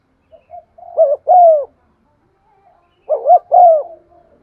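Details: Lure spotted dove cooing to stir other doves, voice style 'giọng son': two phrases a couple of seconds apart, each a stuttered double coo ending in a long falling note.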